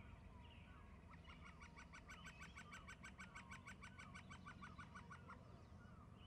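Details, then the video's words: Two eagles perched on mid-right branches calling: a fast, chattering run of short, sharp, harmonic yelps, roughly four to five per second for about four seconds, over a constant low rumbling hum. "Eagles calling"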